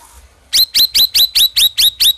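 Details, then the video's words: Black-crested bulbul bursting into a rapid, loud string of eight identical high chirps, evenly spaced about a quarter second apart, after a brief quiet start. "SUARA CUCAK RAWIS GACOR"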